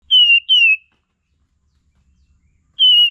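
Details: Olive-winged Bulbul song used as a lure and as a master recording for training songbirds: clear whistled notes sliding gently downward, two in quick succession, a pause, then a third.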